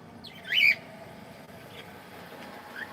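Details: Cockatiel singing as it plays: a single bright warbling whistle that wavers up and down, then quiet with a faint distant chirp at the end, steady low hum behind.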